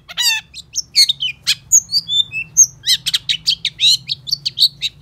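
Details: Long-tailed shrike in full continuous song, used to coax silent shrikes into singing: a fast, varied medley of harsh buzzy notes, pure high whistles and scratchy chips with no pauses.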